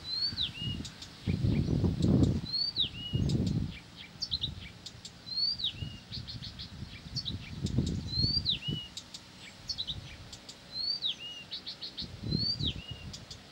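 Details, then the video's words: Blyth's reed warbler that cannot stop singing: a loud whistle rising then sweeping down, repeated regularly about once a second, with clicky ticking notes between and low rumbling noise in places. "САДОВАЯ КАМЫШЕВКА НЕ В СИЛАХ ПОМОЛЧАТЬ!"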